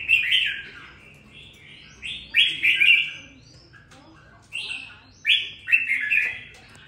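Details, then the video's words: Two weeks into captivity, a red-whiskered bulbul sings with some fire: rich, warbling slurred phrases in loud bursts, a long pause, then several more bright rising-falling notes. "Đánh liều mua con chào mào chỉ chọn bóng bộ ,sau 2 tuần nuôi dưỡng em nó đã ra giọng có chút lửa"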